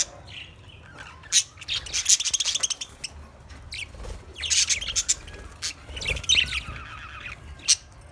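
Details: Budgerigars in a cage chatter in dense, buzzy high warbling bursts mixed with sharp squawks, several overlapping flurries across the recording over a faint low hum.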